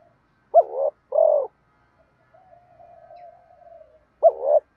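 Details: Spotted doves, male and female, cooing to prod reluctant caged birds into calling back: a loud two-part coo with a sharp opening note, a soft drawn-out hum, then another two-part coo near the end.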